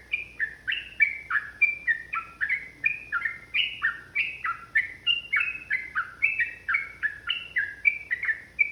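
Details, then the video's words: Long, rapid fighting song of a yellow-vented bulbul, a steady stream of rich gurgling notes, about three per second, see-sawing between higher and lower tones. "TRUCUKAN GACOR ROPEL PANJANG | Pancingan AMPUH Burung Trucukan agar bunyi jadikan EMOSI"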